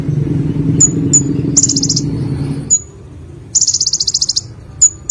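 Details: Olive-backed sunbird in Indonesia, known locally as konin, singing: thin, very high sharp tsip notes and fast buzzy pulsed trills of about a second each. A low rumbling background fades out midway.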